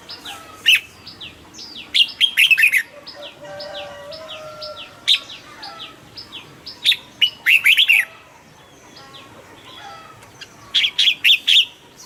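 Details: Caged red-whiskered bulbul, favoured by bird-competition keepers for stirring birds up: three loud, rapid, bubbling song phrases spaced several seconds apart, with a constant patter of quieter falling chirps from other birds between them.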